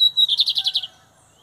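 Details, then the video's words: Lined seedeater, Brazil, comparing the metálico and torneiro song styles in the 2023 season: one high whistled note slides straight into a rapid buzzy trill of about seven pulses lasting under a second, then silence. "Bigodinho Metálico x Torneiro"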